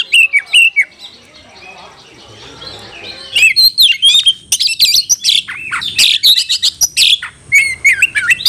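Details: Oriental magpie-robin calling a rival to fight: a few clear whistled notes, a quiet stretch, then loud rapid varied whistles and harsh chatter.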